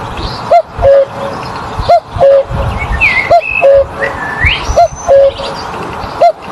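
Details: Cuckoo repeating its low two-note cuckoo roughly every one and a half seconds, while other birds give higher sliding whistles and chirps in the background.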